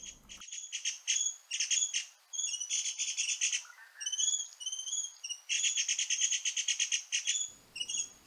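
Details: Dark-backed sibias feeding at Doi Lang, Chiang Mai, Thailand, on a cold day in evergreen forest, give dense bursts of high, scratchy, rattling chatter in rapid runs that overlap into a continuous noisy racket.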